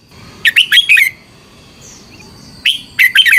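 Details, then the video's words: Thai red-whiskered bulbul song for training caged birds: two lively phrases of bright, rolling notes, the second starting after a short pause, over a steady faint high tone. "เสียงนกกรงหัวจุก สำหรับต่อ หรือ เปิดให้นกคึก เสียงเพราะๆ - นกกรงหัวจุก, chao mao"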